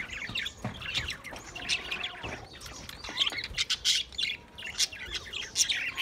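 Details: Budgerigars filmed 28 April 2023 produce a steady stream of bright, sharp chirps and warbled notes that come in quick uneven bursts, with a few harsher squawks among them.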